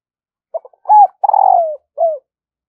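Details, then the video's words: Decoy spotted dove cooing in the morning to lure wild doves: a few soft stuttering notes, a clear upslurred coo, a long rolling purr sliding downward, then one short falling coo. "Tiếng chim cu gáy thúc và gáy gọi bổi vào buổi sáng"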